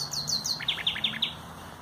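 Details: Common nightingale song from 30 April 2021: three high slurred whistles followed by five louder, evenly spaced sweeping notes dropping from high to lower pitch, against a faint low hum.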